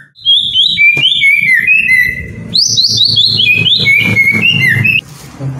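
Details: Song of a captive white-rumped shama, used to prompt lazy birds: two long runs of rapidly repeated whistled notes stepping down in pitch, a low hum throughout.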